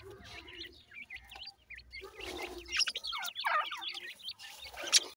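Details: Grey francolin (teetar) chicks give a rapid stream of high, hooked cheeps and chirps that overlap and grow louder and busier toward the end.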